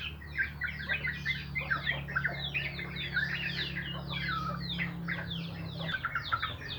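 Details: Sooty-headed bulbul in morning song, busy overlapping chirps and slurred whistled notes in fast succession, over a steady low mechanical hum that stops near the end.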